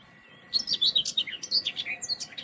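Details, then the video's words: A Common Whitethroat (Sylvia communis), filmed in the wild, gives a brisk, scratchy warble of quick high notes jumping up and down in pitch, in a short burst of about two seconds. "звонко поющей птахой(серая славка)"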